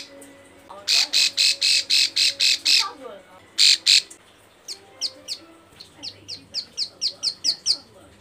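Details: Breeding female bar-winged prinia calling males, kept as a lure: a loud series of harsh, buzzy bursts at a steady beat, a brief pause, then a fast run of thin, sharp, high chirps.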